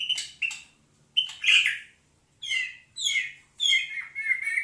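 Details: Oriental magpie-robin singing: clear whistled notes alternating with rich warbled phrases and buzzy bursts, each phrase about half a second, separated by brief pauses; a faint low hum behind.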